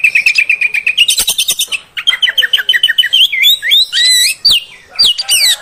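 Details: Female oriental magpie-robin voice meant to provoke males: a rapid run of repeated whistled notes, a buzzy burst, then more evenly repeated notes leading into looping, varied whistled phrases that rise and fall.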